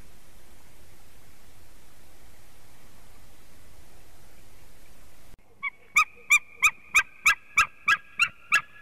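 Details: White-tailed eagle at its nest, filmed by a nest webcam in Latvia in 2018: after five seconds of steady background hiss, a loud series of about ten sharp, yelping notes begins abruptly, roughly three per second.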